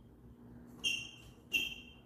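Two loud, clear whistled notes from a green-winged saltator, each about a quarter second, spaced under a second apart, over a faint low hum.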